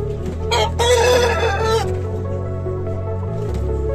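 A rooster gives one harsh, drawn-out crow lasting about a second, then falls quiet; a steady low hum and faint background sounds run underneath.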